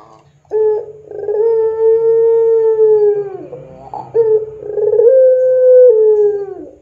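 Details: Barbary dove of the pelung type, a lure recording for training other doves: a rolling burred opening, then a long steady drawn-out coo falling slightly at the end, repeated twice with a low hum beneath.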